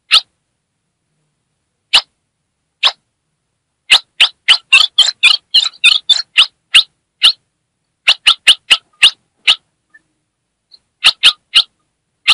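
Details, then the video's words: Female Ultramarine grosbeak from the Northeast of Brazil, calling and chattering to stir up a male: sparse sharp chips, then a dense burst of rasping buzzy notes, followed by quick chip series and pauses, no other sounds. "MELHOR CHIADO DE FÊMEA DO NORDESTE"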